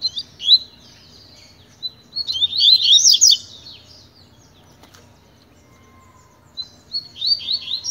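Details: Tui-tui style song of a Double-collared seedeater used as a tutor for training: a brief chirp, then a dense run of rapid rising and falling whistled notes, a long pause, and a new phrase starting at the end.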